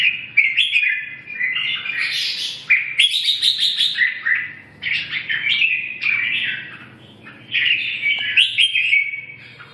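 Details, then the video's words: Song of a red-whiskered bulbul, several rich whistled and warbling phrases separated by short pauses, some notes rising sharply, with a soft low background hum. "Kênh về Chim chào mào"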